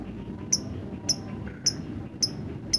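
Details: Lovebird singing ngetik, the typing style: five bright, clipped high ticks at a steady pace of about one every half second, over soft low background noise.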